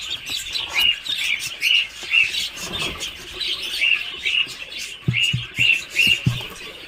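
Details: Farm-raised Muscovy duck chicks in Kamrup, Assam, keep up a steady run of high piping peeps, about two per second, with occasional low knocks and scuffing.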